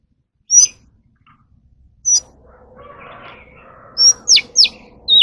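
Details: Captive Oriental magpie-robin singing during voice training: scattered sharp, high chirps and short descending whistled notes. Between them come brief pauses and a soft, continuous background murmur with a steady low hum.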